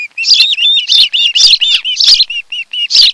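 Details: Ospreys at a Kent Island, Maryland nest, mated pair, filmed by a nest cam on a July afternoon: a near-continuous string of shrill whistled chirps, rising and falling slightly, with louder bursts roughly every half second.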